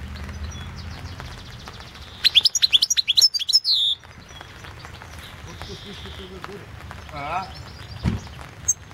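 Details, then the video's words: European goldfinch singing for the 2016 online World Championship in Goldfinch Song: a dense burst of rapid, high jingling notes and falling slurs for under two seconds, followed by a quieter background with faint low murmuring. "Pesma štiglića"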